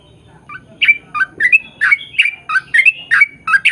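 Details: Bulbul lure song: soft opening notes swell into brisk gurgled chirps, about three a second, rising and dipping in a lively chatter.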